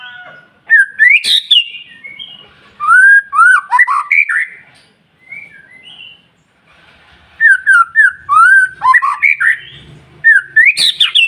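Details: A white-rumped shama sings to stimulate other shamas: varied phrases of looping, slurred whistles and short chirps, some rising steeply, in bursts separated by a pause, with faint low background hum.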